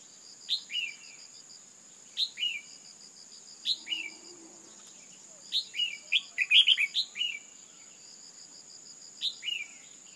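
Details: Calling female red-whiskered bulbul stirring males to excitement: clear descending double chirps every second or two, building to a dense flurry of quick notes, then single pairs again, against continuous shrill insect hum and rhythmic cricket trills.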